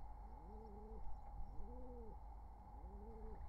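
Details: A wild pigeon coos during courtship near its nestlings, summer 2023: three drawn-out, hollow, arching coos about a second apart, over a steady background hum.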